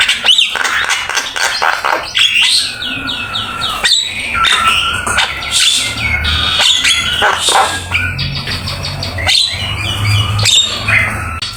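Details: Javan myna in full song as master training material, delivering rapid harsh squawks, chattering bursts and short whistled sweeps in quick succession, with a low steady hum underneath.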